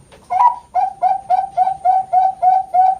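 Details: Zebra dove of the Bangkok type from a bird farm in Kroya, Cilacap, Central Java, cooing at competition quality: a longer opening note then eight soft, even coos repeated about every third of a second, indoors.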